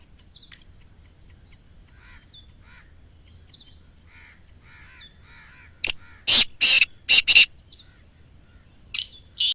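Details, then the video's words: Black francolin call, meant to be played to a kept francolin in the forest so it begins calling: faint scattered chirps, then a run of loud, harsh, broadband notes in quick succession, followed by one more burst after a pause. "Kala Teetar Ki Awaz | Black Teetar Voice"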